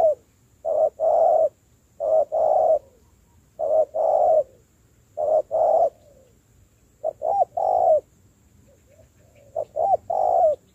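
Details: Spotted dove, a fresh wild bird being schooled into a decoy, cooing steadily: about six phrases, each short notes then a drawn coo, repeated every second or two.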